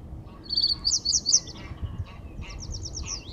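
A reed bunting sings short, high, chirpy phrases: a few sharp notes, a pause, then a quick run of similar ticking notes, over faint background noise.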